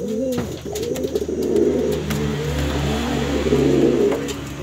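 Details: A brown pigeon calls its mate with low, throaty cooing phrases that swell and fade repeatedly over a background rumble of a passing engine.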